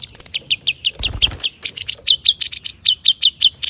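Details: Long-tailed shrike in animated song full of borrowed phrases, meant to make other shrikes sing; steady run of sharp, high chirps roughly five per second, with a brief noisy burst early on.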